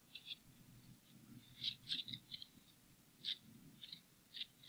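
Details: Bald eagle pair at a frozen nest in Hanover, Pennsylvania, on 10 February 2017 around 5:46 pm, the female uneasy and laying the season's first egg; faint, high, squeaky chirps come in short clusters over low background rumble.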